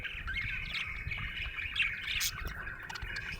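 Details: Happy budgerigar giving an unbroken twittering warble with a few squeaky rising notes and one sharp chirp near the end.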